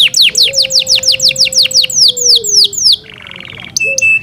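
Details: Yorkshire canary kept at home sings a steady series of sharp downslurred whistles, about four a second, ending in a soft buzzy roll and a high whistled note; a faint low tone runs underneath.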